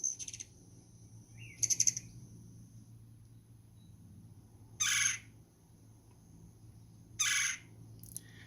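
A Red-bellied Woodpecker gives short, harsh, rolling notes, four bursts spaced a few seconds apart, over a low steady hum.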